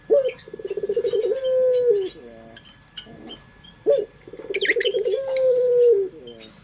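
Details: Two pelung coos from a local puter dove, used as a lure. Each starts with an abrupt note, then rapid pulsing and a long level hum that falls off. A sharp high chirp from another bird sounds between them.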